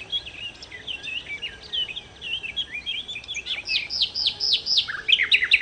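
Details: Nightingale, known locally as sikatan londo, singing vigorously in a recording meant to lure birds: varied high twisting chirps and whistles, then a run of sharp, rising repeated notes, with faint background hiss.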